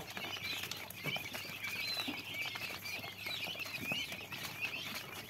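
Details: Several common quail chicks peeping continuously, thin high chirps and brief whistled slurs overlapping in a busy chorus, mixed with light tapping and rustling.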